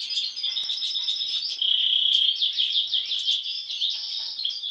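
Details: European goldfinches, all siblings, two with an abnormal facial mask since birth; fast tinkling twitter with a louder run of rapid repeated chirps in the middle, bright and continuous.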